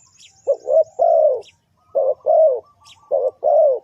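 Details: Spotted dove cooing, used as a lure call for trapping and for training decoy birds; deep, hollow phrases of a short note followed by a longer drawn-out hoot, repeated three times about every 1.3 seconds, with faint high chirps between.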